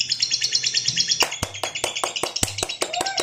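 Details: Lovebird giving a long 'ngekek panjang' trill, used to provoke and train other lovebirds. A rapid, harsh, rattling trill fills the first second, then breaks into sharp scattered chirps and clicks over a faint low hum.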